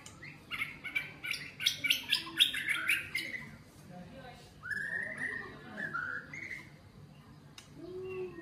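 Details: Freshly caught white-rumped shama, caged one week, 16 cm tail, being tamed; a burst of rapid buzzy, chattering notes followed by a few lower slurred whistles, with a background hum.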